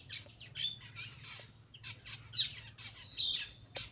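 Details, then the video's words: Black-winged myna while eating, uttering rapid harsh, screechy notes interspersed with brief thin whistles, in an irregular chattering sequence, low hum in the background. "cucak Keling bar bar"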